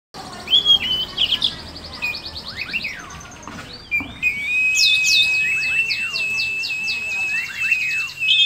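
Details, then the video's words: Oriental magpie-robin singing in the ngobra chattering style while spreading its tail; loud high whistles and quick sweeping chirps, then a long, steady, buzzy rattling trill with rapid downward strokes running from about four seconds on. "kacer gacor gayanya manteb banget ngobra dan buka ekor"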